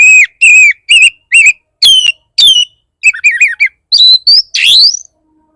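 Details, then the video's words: Oriental magpie-robin song used to anger and draw out other magpie-robins. Repeated clear whistles, some rising and some falling, lead into a fast wavy phrase, then a harsh, rising, scratchy note at the end. "Pancingan burung kacer bar bar naik pitam kacer lain"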